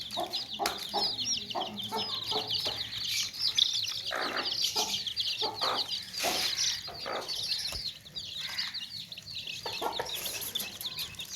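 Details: Baby chicks chirping in a tokri, with hens clucking: dense high peeping throughout, punctuated by short low clucks roughly once a second and some rustling.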